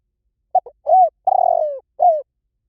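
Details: Spotted dove cooing: two quick short notes, then a rounded coo and a long drawn-out coo that sags in pitch, ending with one more soft coo, all low and mellow in silence.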